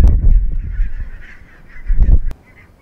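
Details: Wintering flock of barnacle geese from the Svalbard breeding population at Mersehead RSPB Reserve, Dumfries and Galloway, in November 2011; loud low honking bursts at the start and near two seconds over a continuous band of distant flock chatter.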